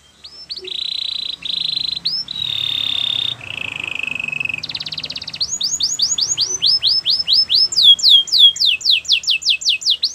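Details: Canary song meant to coax a quiet canary into singing again: long steady whistled tones, a buzzy rattle, then a fast series of rising swept notes repeating several per second, climbing higher toward the end.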